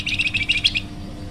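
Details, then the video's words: Flamboyan bird song used for luring or training other birds: a short run of quick, high chirps, about ten rapid notes in under a second, over faint background hum. "masteran burung flamboyan"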